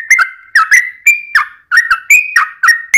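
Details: Yellow-vented bulbul fighting song used to provoke replies from other birds: sharp, clear notes in quick succession, some held level and others falling, with small jumps in pitch.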